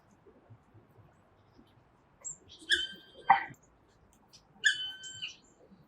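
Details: Female Black Woodpecker foraging in a city garden in Freiburg on a cold winter day, hammering on wood. It gives two drawn-out, nasal, plaintive "kli-ööh" calls about two seconds apart, with a single sharp knock between them over a low hum.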